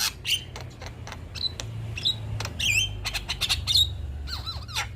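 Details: Male Black-winged starling in song, called gacor, a bird said to set all other birds singing: sharp clicks and harsh broadband bursts mixed with clear whistled notes near the top of its range, some dipping or arching, with low background hum.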